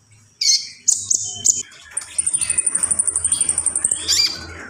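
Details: Common iora opening with a few loud sharp chirps, then a long thin high whistle running under a fast even trill of ticking notes, ending with another burst of chirps.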